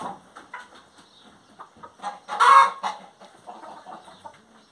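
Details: Hen singing, mostly quiet low clucking and murmuring with one loud harsh squawk near the middle.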